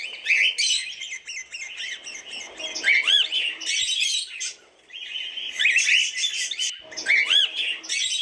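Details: Cockatiels trade scratchy chirps and trills. Clear looping whistles that rise then drop stand out twice over the constant chatter, with a short quieter gap midway.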